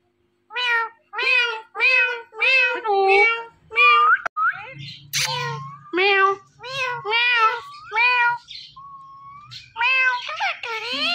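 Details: Pet Indian ringneck parrot talking, imitating speech while watching a phone: a series of about a dozen short, nasal, harmonic syllables like "meow" and "me too", some rising then falling, spaced roughly a second apart, with a faint low hum beneath.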